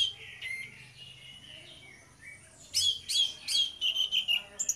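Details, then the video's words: Orange-headed thrush duo singing ngeplong as a singing lure; faint warbling at first over background hiss, then loud rapid bursts of chattering, buzzy notes repeated in quick succession. "DUO ANIS MERAH NGEPLONG GACOR, PANCINGAN ANIS MERAH BIAR BUNYI"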